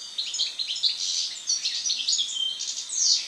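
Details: After moulting, a European goldfinch sings a dense, fast stream of bright tinkling chirps and trills, continuous and very high.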